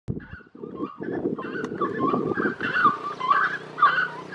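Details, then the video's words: Slaty-breasted wood rail calling; a loud, harsh, chattering series of throaty notes rising into repeated honking phrases, continuous over several seconds. "SERICOIA, SIRICOIA, SARACURA DO MATO, SIRICORA"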